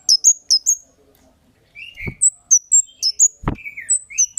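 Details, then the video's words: Kemade bird calls used as a lure to make other birds respond: high, thin chirps repeated in quick pairs, with lower slurred notes in between and two brief sharp clicks. "Suara Burung Cit Kemade GACOR"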